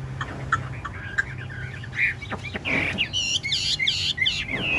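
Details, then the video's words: Caged Chinese hwamei, a big-bodied bird bobbing its head and dancing while singing; scattered chips and rough notes build into loud looping whistles toward the end, over faint low background hum. "Họa mi ngũ trường bộ to hót gật gù múa lân"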